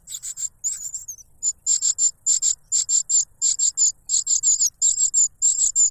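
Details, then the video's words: Noisy cuckoo chick begging as its foster father arrives with a butterfly; shrill, sizzling high notes in tight bursts of two or three, a brief lull near the start, then steady rapid repetition. "The cuckoo bird is too noisy when trying to grab food杜鹃鸟抢食太吵闹了，鸟爸爸用蝴蝶堵住杜鹃鸟的嘴"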